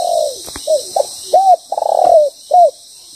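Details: Spotted dove decoy calling during trapping, a moulting bird with a loud voice: a falling coo, short clipped notes, then arched coos and a long rippling coo in quick sequence, with a faint tapping and steady insect hiss.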